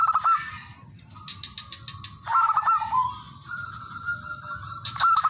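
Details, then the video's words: Male zebra dove of a local kind calling opponents, used to lure and trap birds that answer; short trilled coo bursts with a falling drawn-out coo, repeating every couple of seconds over faint hiss. "suara perkutut/merbok lokal jantan memanggil lawan jadi pancingan dan pikat semua ikut manggung"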